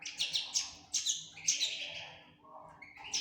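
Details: Young common linnet, a fledgling, producing a rapid run of bright high chirps at the start, then a pause and a quieter note before another chirp at the end.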